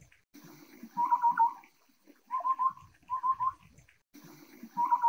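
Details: Taiwan scimitar-babbler (Pomatorhinus musicus), a Taiwan endemic of low-altitude shrubby hills, calling short, hollow fluted phrases of three or four quick low notes, about once a second, over low rumble and faint insect hum.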